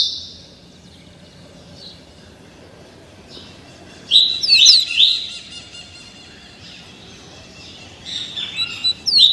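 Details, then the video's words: Captive young double-collared seedeater, only 30 days old, being tutored in the Tuí Tuí Alcântara song style; two short bursts of sharp, high, rapidly sliding notes, one near the middle and another at the end, with quiet gaps between. "COLEIRO FLASH ENCARTADO NO CANTO TUÍ TUÍ ALCÂNTARA COM APENAS 30 DIAS"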